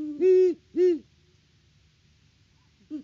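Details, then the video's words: Great horned owls at their nest tree in Peabody, Kansas, a pair on a farm live cam: low hollow hoots, two strong notes close together, then a pause before another begins. "HootFest @ the Nest!"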